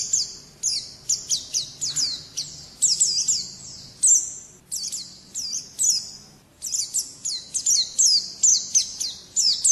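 A white-eye sings very high, thin chirps in rapid twittering bursts, with many short phrases tumbling one after another and only brief gaps.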